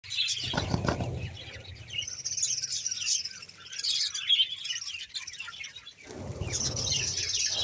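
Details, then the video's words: Colony of 300+ budgerigars in Bahawalpur keeps up a continuous high chatter of twittering, warbling calls, with a few low rumbling thumps near the start and end. "budges sound"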